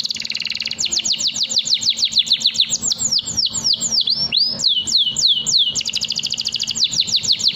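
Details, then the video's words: Canary song described as long 'nembak' style, used as a tutor recording for young canaries: opens with a fast buzzy trill, then rapid high whistled notes swooping downward in quick series, ending in another dense trill. "SUARA KENARI NEMBAK PANJANG, cocok buat #pancingankenari muda"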